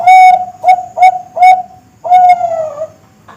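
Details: Young zebra dove of the Bangkok type, a contest and breeding bird, singing a staccato string of four mellow whistled coos, then a long slurred note that rises slightly before falling away.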